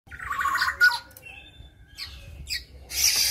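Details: Caged local black-naped oriole, settled and tame, past its spotted juvenile plumage: a short burst of warbled whistles around mid pitch, followed by scattered chirps and a harsh, scratchy note at the end.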